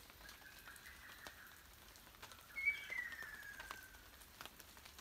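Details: Ruddy kingfisher calling unseen in a forest during rain, recorded in 2019. A faint, long, downward-sliding whistle comes early, and a clearer one descends mid-clip, both partly masked by steady rain patter and drips.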